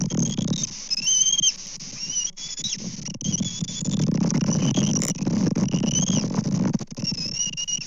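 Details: Fish delivery at a Kansas bald eagle nest on 24 May 2024, recorded by a live camera. Squealing whistled notes, some bent upward, come in spaced bursts, with gusty wind and rustling beneath.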